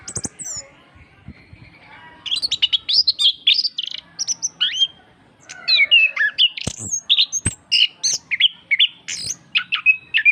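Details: Lively orange-headed thrush singing, used as a master track to stimulate birds that rarely sing. After a quiet start, a dense run of high chirps, whistled slurs and trills follows, with brief clicks between phrases.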